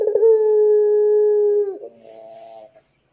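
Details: Ringneck dove in 'dor' style, calling to set off other doves. A sustained low hollow coo holds steady for nearly two seconds, then slurs down and gives way to a softer, fading murmur.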